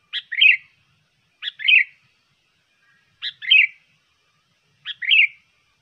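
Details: Lure song of a sooty-headed bulbul, a trained bird suited to tutoring and contests: four brief chirpy phrases, each a clipped note and then a bubbly downslurred flourish, spaced roughly 1.5 seconds apart.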